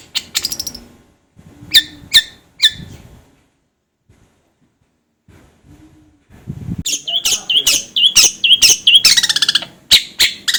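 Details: Master song of a long-tailed shrike for training birds: a few harsh scratchy notes, several seconds of near silence, then a quick series of high dipping whistles and rasping buzzes.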